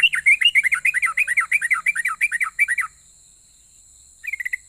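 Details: Sooty-headed bulbul in persistent, rapid-fire long song said to provoke other bulbuls to answer: about three seconds of fast, bubbly, dipping whistled notes near twelve per second, then a pause and a short burst, over a steady high hiss.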